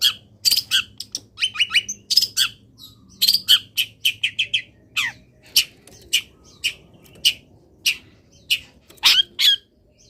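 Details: Long-tailed shrike, called cendet, caged and sunbathing after a morning misting, delivering a long, dense stream of sharp chips, brief twitters and clipped whistles, lively and uneven, with faint low hum in the background.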